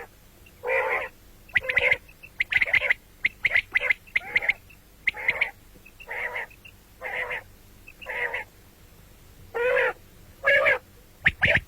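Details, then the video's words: Quail (batair, common quail) gives short, buzzy, slightly rasping notes, about one per second in irregular bursts, over a quiet background. "бедана batair ki awaz quil sound"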